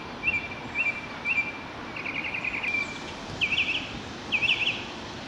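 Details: Northern mockingbird singing actively in the rain: a varied string of mid-high phrases, three short whistled notes, then a rapid buzzy trill, then two matching chattering phrases, all over a steady hiss of rain.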